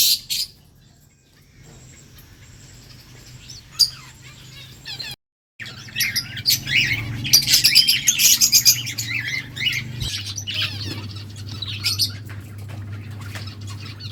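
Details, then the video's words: Lovebirds chirping: quiet start with a low steady hum, a brief silent gap, then dense overlapping high chirps, squeaks and trills from several birds for the second half, the hum continuing underneath. "Lovebirds chirping sounds"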